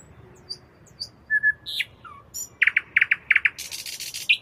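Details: Nocturnal nightingale song with scattered high whistles, a flat low whistle and a downslurred note, then a run of loud repeated chock notes and a dense buzzing trill, closing on a sharp high note.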